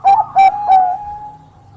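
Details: Bangkok-type zebra dove singing actively and luring a rival singer: three loud, mellow coos in quick succession, the last fading into a long, soft, steady hum.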